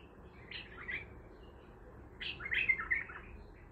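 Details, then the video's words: Raw, untrained bulbul of Baghdadi song type gives a short warble, then a longer run of tumbling, whistled notes about two seconds later, against a soft background rumble. "بلبل طور بغدادي خام"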